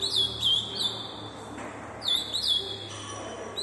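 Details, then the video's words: Ultramarine grosbeak (azulão), shown as an unusually fast singer, gives fast, high warbled phrases in two quick bursts about two seconds apart, with a faint background hum. "azulão mas rápido"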